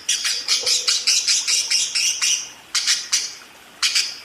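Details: Budgerigar singing ngerol, a rolling chatter: evenly spaced, raspy high chirps roughly every quarter second, fading, then resuming in short groups.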